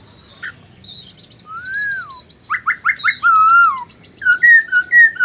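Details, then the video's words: Male Chinese hwamei delivering a rich, varied song. Clear whistled slurs rise and fall, rapid bright chirps repeat in quick series, and a long downward-curving whistle sits among sharp high notes. A faint low background hum runs underneath. "pancingan manuk poksay hongkong"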